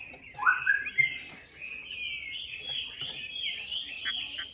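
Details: Chinese hwamei used as a lure, heard more softly: a sharp rising whistle, then a long sustained warbled phrase of slurred high notes with faint background noise.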